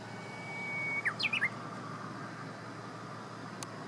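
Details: Japanese bush warbler song recorded on the morning of 6 June 2017: a sustained thin whistle breaking into a short, fast, warbled ending of looping notes, then quiet with steady low background hiss.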